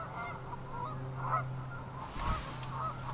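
Ross's goose giving short, nasal honking calls over a steady low hum, with a brief thump partway through.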